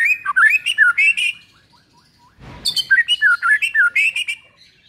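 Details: White-rumped shama song meant to coax a silent bird into full voice: bursts of rich, varied warbling with rising and falling whistled notes, a brief gap of low rustling, then another long jumbled phrase.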